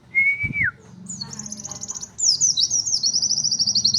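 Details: Pleci (white-eye) in 'nembak' style with unique material: a clear level whistle dropping at the end, then a rapid high trill and sharp descending chirps flowing into a quick ticking run, with low murmuring beneath.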